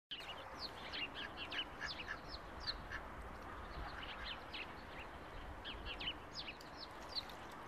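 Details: July ducklings peeping continuously: many thin, high, downslurred cheeps overlapping in a busy chorus throughout, with steady low background rumble.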